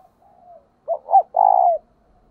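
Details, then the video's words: Spotted dove cooing as a lure, with calls described as thúc and gáy gọi. A soft drawn note comes first. Then two short rising notes lead into a long, smooth, slightly pulsing coo that drops away at its end. "Tiếng cu gáy cực hay THÚC và GÁY GỌI mới nhất, mở là gáy"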